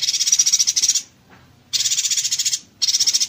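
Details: Yuhina in konslet style, dense shots used as a master for songbird training: three harsh sputtering rattles, the middle one longest at nearly a second, separated by clear pauses.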